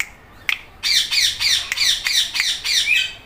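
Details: Indian ringneck parrot, green, letting out a rapid series of harsh, screechy squawks, about three per second, after a sharp click.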